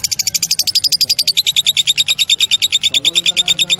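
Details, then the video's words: Lovebirds, described as numerous and in full vigorous voice, known locally as gacor. A loud, rapid, high-pitched chatter of sharp chirps repeats without a break about eight times a second, with a faint low murmur underneath. "Burung love bird banyak di gamari orang ternyata...gacor suaranya"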